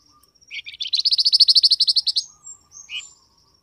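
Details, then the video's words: Flamboyan bird, call used to make wild birds reply: a buzzy lead-in, then a long, fast, even trill of high chattering pulses, ending with a short rising buzz. "SUARA BURUNG FLAMBOYAN, DIJAMIN LANGSUNG NYAUT BUNYI"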